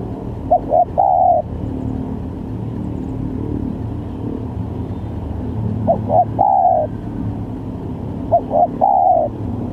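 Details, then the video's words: Lure recording of a spotted dove with varied calls for trapping. Three cooing phrases, each quick double note then a drawn-out coo, with a rumbling engine-like noise underneath and a long gap between the first two phrases. "Pancingan Tekukur||Berpariasi Bunyinya||Cocok buat Mancing Pikat"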